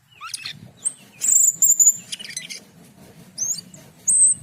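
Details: Asian pied starling singing a mix of high thin drawn-out whistles, short rising squeaks and scratchy chatter, set against low steady background hum.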